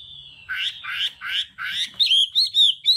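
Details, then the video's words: Kept Hwamei in full song: a long level whistle, then four loud rich slurred phrases and a run of sharp, clear, rising-falling whistled notes about four per second. "Âm thanh luyện giọng họa mi hót đảo âm hay nhất"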